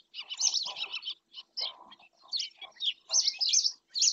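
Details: Black-winged stilt at Doñana National Park, Spain: a dense burst of grating, squealing notes, then short gaps and further clusters of harsh yapping calls, loud and insistent.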